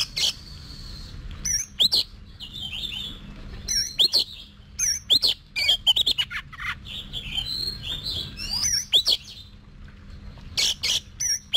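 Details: Oriental magpie-robin trained to sing in competitions, producing a long run of varied song: sharp clicking notes, buzzy bursts and wavering whistled phrases, repeated in clusters over a faint steady hum.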